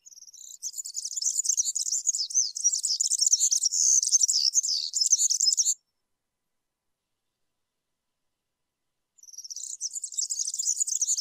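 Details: European serin singing a rapid, high-pitched jingling song of dense, scratchy twitters, delivered in a long unbroken burst of about five seconds, then silence, then the song resumes.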